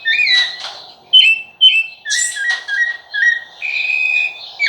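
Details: Whistled song of a rufous-bellied thrush: a descending slurred note, then sharp clipped notes and a series of evenly spaced short whistles closing on a longer level tone, clean background.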